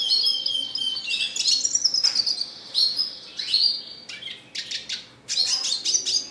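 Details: A Red siskin sings a lively classic-style song, fast twittering chirps and buzzy trills alternating with clear high whistled notes, a brief pause before a final burst.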